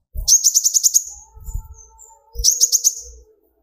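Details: Young speckled sunbird song meant to stir other birds to sing: two rapid, very high, sharp trills of clipped repeated notes, the first about a second long, with faint low knocks and a soft tonal hum between.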